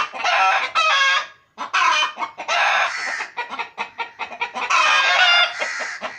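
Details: Home-kept pet chickens clucking: loud, rough clucks and cackling phrases from several birds, bunched into bursts with a clear silent pause near the start.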